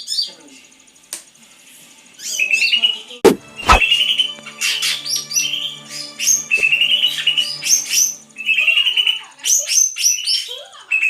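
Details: Greater green leafbird singing a varied, fast run of whistled and chattering phrases, with high sharp notes and squeaky trills, briefly broken by two loud clicks near the start, then continuing in dense bursts.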